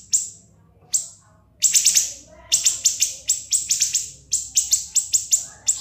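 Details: Siri-siri tutor song for cage birds: a few isolated sharp high notes, then a long steady string of stabbing shrill chips repeated several times per second.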